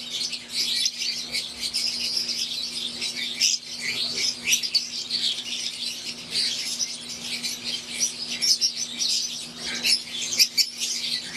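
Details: Captive wild-type green Fischer's lovebirds and Euwing lovebirds in an aviary keep up a busy high-pitched chorus of sharp chirps and twitters, rising and falling in bursts, over a steady background hum.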